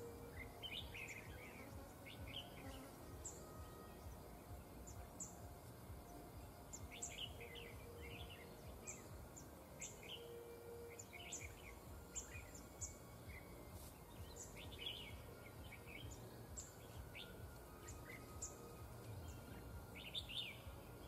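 A songbird gives bursts of short, bright chirps and warbled notes over a steady low rumble.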